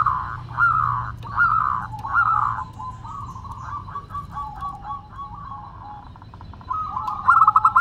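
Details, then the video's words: Zebra dove of a local strain in full song with a so-called crystal voice: three bright rolling coos, then a long run of soft quick trilled notes and a louder burst near the end, with low background rumble. "Perkutut Lokal Gacor Suara Kristal"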